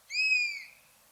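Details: A buzzard, a bird of prey, gives a single drawn-out mewing call that starts high and slides gently downward, lasting about half a second, in a quiet natural setting.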